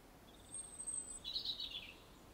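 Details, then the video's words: Robin in an English nature garden, song described as aggressive: a thin, very high drawn-out whistle followed by a brief twittering, warbled phrase, heard against quiet ambient background. "Aggressive Robin Song"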